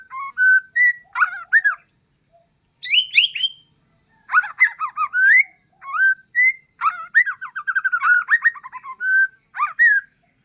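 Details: Calm singing by an Aceh forest-line white-rumped shama meant to set off other shamas: varied whistled phrases, some high sharp notes, and quick rattling series of slurred notes between pauses.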